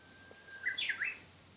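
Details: Japanese bush warbler singing: a long, steady whistled note held for over half a second, then a quick rising-and-falling flourish of three bright slurred notes. Quiet background, no other birds.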